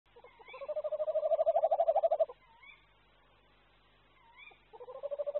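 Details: Male tawny owl courting his mate before the breeding season, calling from the entrance of a tree nest the pair used before. A soft, throaty, ocarina-like pulsed trill lasts over two seconds and then resumes, with faint upslurred kew-wick calls between.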